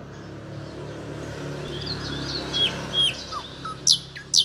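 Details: An Oriental magpie-robin of the Nusa Penida form, moulting and regrowing its tail, gives short, clear whistled notes and a few sharp high chips over the last two seconds, against a steady low traffic rumble.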